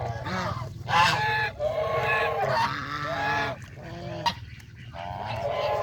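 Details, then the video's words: Adult and baby geese feeding on fresh grass by a countryside pond; a near-continuous chorus of loud, rough honks from several birds, rising and falling, with brief pauses between bursts. "Happy Geese Enjoy Fresh Grass by the Pond"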